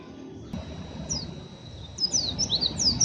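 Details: Still-untrained young oriental white-eye giving rough ngeriwik chatter: after a quiet start, a handful of high, sharp downslurred chirps in the second half, over low hum.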